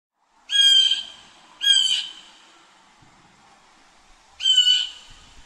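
A blue jay gives three harsh, nasal jeer calls, each about half a second long, the first two close together and the third after a pause.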